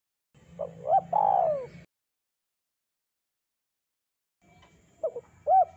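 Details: Spotted dove, thick-voiced and singing vigorously for bird luring: one full phrase of short coos ending in a long downslurred coo, then after a pause the opening coos of another phrase.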